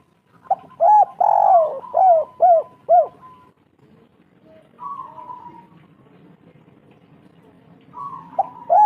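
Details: Local spotted dove lure call, used to prompt other doves to sing: a fast series of five throaty, arched coos, then a pause, a drawn-out falling coo, and another coo phrase at the end, over a low background hum.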